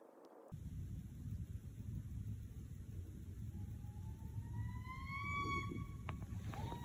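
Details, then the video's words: A Barred Owl gives one long, slowly rising wail, rich and slightly strained, then a short upward note, over a heavy low rumble of wind or distant traffic; it was first mistaken for a porcupine. "that was a owl called the "barred owl", it definitely wasn't a porcupine"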